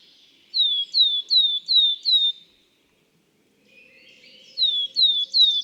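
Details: Willow Tit, a Nordic species of old, messy forests that has become endangered in Finland: a run of five clear, high, falling whistles, then a pause and three more, over faint background hiss.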